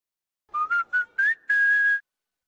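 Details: A lyrebird mimics the McDonald's whistled jingle: four short, clear notes stepping gently upward, then one long, steady whistled note, with no other sounds behind it.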